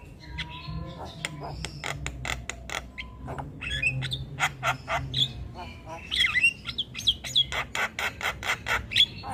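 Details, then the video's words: Javan myna in a noisy, persistent singing bout while other birds join in; a busy stream of harsh squawks, sharp clicks and rapid chattering notes with some whistled phrases, punctuated by short broadband bursts, with low rumbling in the background. "Jalak Kebo gacor Tak Kenal Waktu Bikin Ribut Burung Lain Ikut Bunyi"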